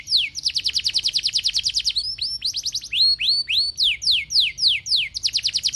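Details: Caged canary in full, long 'gacor' song meant to set other canaries singing: fast rolling trills of high descending notes, then switching to slower, louder swooping whistles about twice a second, clean with no other sounds.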